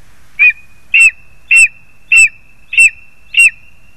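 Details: Lesser spotted eagles, parents bringing food to their chick, 2 August 2020: six sharp, short yelping notes spaced about every 0.6 seconds, with a thin steady high tone running underneath.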